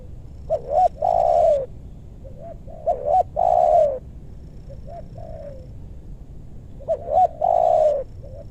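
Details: Spotted dove calling in a meranti forest in West Bogor, Indonesia, where loud-voiced wild doves are lured: three strong phrases of quick rising hoots ending in a long falling coo, softer distant coos between.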